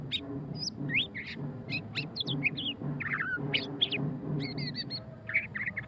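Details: Ngeriwik singing by a white-rumped shama (murai batu pastol): choppy, varied whistled phrases of quick upsweeps and twisting notes in short bursts, over a steady low background hum.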